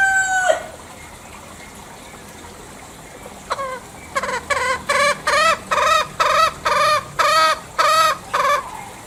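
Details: Green junglefowl in Bali: a single harsh note, a pause, then a fast, regular series of ten short, arched nasal calls, each around a third of a second.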